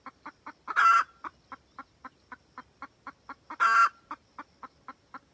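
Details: Wild red junglefowl hen calling the rooster, used as a trapping lure: quick, evenly spaced short clucks, about four per second, broken twice by a loud, harsh, drawn-out cackle note.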